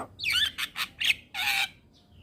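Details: Javan myna song used as a tutor recording to train young mynas to sing fully: a run of harsh, squawky notes in quick bursts, then a longer grating phrase and a thin fading whistle.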